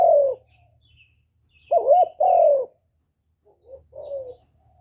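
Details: Captive decoy spotted dove singing gáy gọi, thúc and gù to excite other kept doves: a falling coo, a pause, then two loud hoarse coos with a looping inflection and two quieter closing notes.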